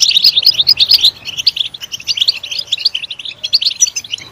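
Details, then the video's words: Loud goldfinch song, prompted by stimulation: a hurried string of sharp chirps and twittering phrases, busiest at the start, then slightly sparser and softer toward the end. "Stimulating a goldfinch clip to make it chirp in a loud and wonderful voice"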